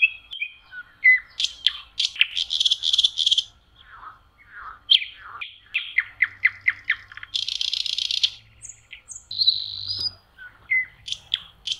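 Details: Common nightingale singing in May on a lake shore in spring: a varied run of sharp whistles, rapid repeated clicking notes, buzzy rattling bursts and pure drawn-out tones, with short pauses between phrases.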